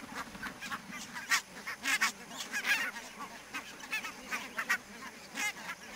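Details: A foggy October morning at Niittylahti, Savonlinna, Finland, 2.10.2011, with a flock of barnacle geese calling: dense, overlapping short barking yelps, several loud honks standing out above a steady chatter.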